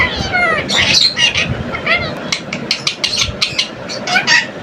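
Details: Caged pet green Indian ringneck parakeet in a talking mood, repeating Urdu words and phrases it is being taught; short squawky speech-like syllables and sharp chirps, some bursts rising and falling, in quick irregular runs.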